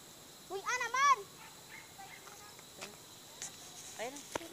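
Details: A Swamp Harrier, caught and being released, gives a loud, wavering, squealing call of about half a second, then a softer, shorter cry near the end; faint background hiss throughout.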